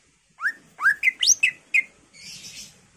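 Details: Greater green leafbird singing gacor with full isian fill: rapid upslurred whistles and quick sharp notes in a tumbling phrase, ending in a soft, hissy rasp.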